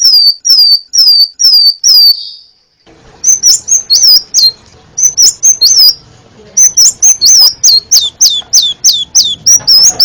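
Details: Crimson sunbird, a varied song used for tutoring cage birds: five sharp high downslurred notes, a gap, then rapid thin high chirps and twisting whistles in quick bursts, with faint low background hum.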